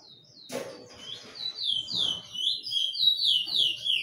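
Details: Bullfinch song: a rapid series of short downslurred whistles repeated over three times a second. Sharp knocks and rattles are heard near the start.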